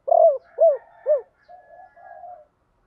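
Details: Lure song of a decoy spotted dove in the 'ba hậu' style, also named 'bổ ba': three loud arched coos, each dropping at the end, trailing into quiet, level murmuring notes.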